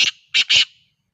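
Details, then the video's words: Black francolin calling in Sindh: three harsh, grating bursts, the first short and the last two close together and stronger, with a brief pause before the pair. Otherwise quiet. "Kala Teeter sindh"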